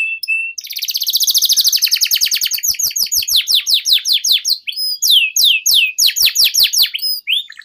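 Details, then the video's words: Canary in full, sustained song, used to stimulate and tutor young canaries: opens with a fast, dense rattling trill, then shifts into a steady series of sweeping, downslurred whistles repeated several times a second. "PANCINGAN Suara Burung KENARI Gacor Panjang || Masteran KENARI Paud"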